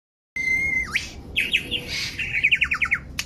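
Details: Superb lyrebird singing in Australia, 2019, part of its varied repertoire: a steady high whistle bending down, then a fast run of about ten sharp descending notes, ending with a click.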